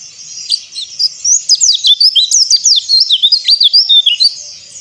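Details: White-eye song, played to make silent birds sing: a soft start gives way to a long, rapid stream of high, thin, sharply slurred whistles, roughly three notes a second, bright and twittering.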